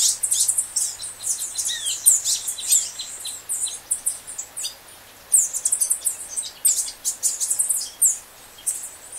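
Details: Green honeycreeper in Ubatuba, São Paulo state, Brazil, giving rapid series of sharp, very high-pitched ticking and chipping notes in uneven bursts with short pauses, over a faint low steady hum.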